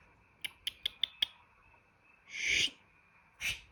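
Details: Captive African grey parrot, a pet that clicks, squeals and pops, produces five rapid crisp clicks followed by a harsh, broad squawk and a shorter rasping note.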